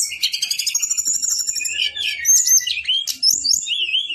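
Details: Brown-chested jungle flycatcher male in long rolling song, a rapid stutter of high notes running into clear whistled slurs and a wavering twittering phrase at the end.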